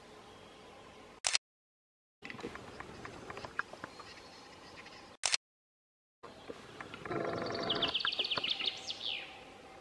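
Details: Western capercaillie (Tetrao urogallus) in Belarus gives its display song: dry, irregular clicks that quicken into a rapid rattle, then a thin, high, scraping whetting phrase. Brief breaks interrupt the recording.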